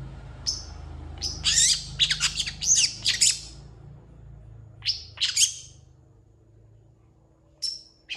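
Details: Long-tailed shrike delivering a song full of mimicry, used as a model for other shrikes: a thin whistle, a tight burst of scratchy high chirps, a quiet gap, then a few separate high whistled and chipping notes.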